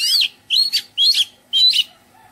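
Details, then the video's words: Oriental magpie-robin in a garden giving four loud, rich whistled phrases. Each phrase rises then slurs downward and is spaced about half a second from the next. The song is melodious and there is little background noise. "Oriental Magpie Robin - Melodious birdsong"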